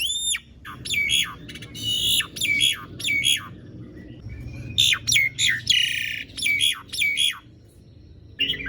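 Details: Asian pied starling singing hard in long rolls, used to coax silent starlings; loud grating squawks each ending in a whistled note, repeated in bursts about every half second with short gaps.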